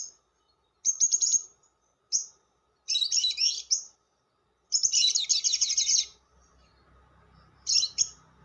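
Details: Lovebird giving long chatter (ngekek panjang) for luring other lovebirds: shrill, harsh, high-pitched bursts of rapid buzzy notes, each under a second, separated by short silences; a faint steady hum underneath.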